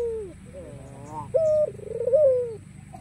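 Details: White ringneck dove with black collar, cooing to invite rivals to call: a low descending note, then wavering tremulous coos and a sustained hooted tone with a rising-falling tail, over faint background hum.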